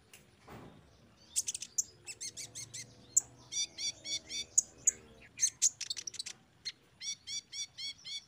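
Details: Sunbird training song for untrained caged birds. Repeated groups of fast, high, hooked chirps with brief bright pips in between, continuing in quick rhythmic clusters.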